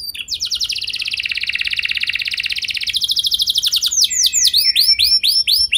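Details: Canary in full song, played to encourage other canaries to roll at length: a long, fast, even roll lasting several seconds, followed by a series of high swooping whistled notes.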